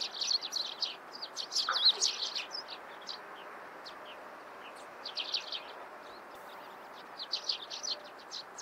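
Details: Lively morning chatter of Eurasian tree sparrows: rapid, uneven high chips tumbling in bursts, a quieter lull in the middle, then renewed chirping, over faint steady background hiss.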